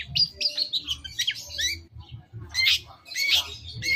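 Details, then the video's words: Long-tailed shrike lure song meant to draw an answer: a dense, scratchy chatter of mixed chirps and squeaky notes, breaking into loud harsh bursts near the end, with a soft low rumble beneath. "Masteran CENDET Kicau Pancingan cukup 1 Menit Auto Nyaut!!!"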